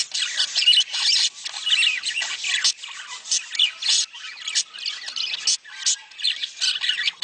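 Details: Budgerigar mating calls used to prompt breeding. A steady, crowded stream of high warbles and squawks, with rhythmic louder pulses through the second half.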